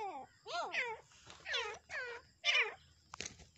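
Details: Francolins fighting, giving a series of loud, harmonic, rising-then-falling squealing calls in short bursts, with a low background hum.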